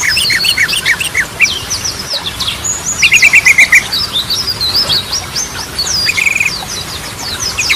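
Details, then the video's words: Yellow-vented bulbul singing gacor, with Ropelan, Goklikan and Garudaan variations, played to stimulate quiet birds. Fast cascades of high slurred whistles and chips, with two short rapid buzzy rattles. "Ragam Suara Burung Trucukan || Goklikan, Ropelan, Garudaan Cocok Buat Pancingan"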